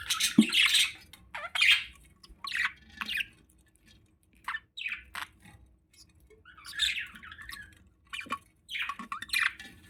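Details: Male budgerigar feeding a female, with bursts of scratchy squawking chatter and short chirps, loud harsh phrases separated by brief pauses, about a dozen bouts over ten seconds.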